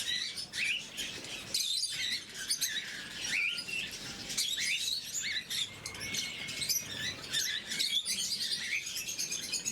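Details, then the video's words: Several pet lovebirds of the blue mutation at morning feeding, giving a constant shrill twittering chorus of high squeaks and chirps, with brief quieter gaps and light rustling. "Попуги неразлучники, утреннее кормление"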